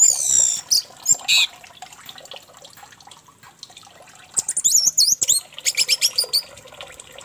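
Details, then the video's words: Orange-headed thrush singing, used as a lure to set another thrush singing; bright high whistles at the start, a quiet gap, then a burst of quick, sliding, repeated notes. "Pancingan Anis merah agar teler"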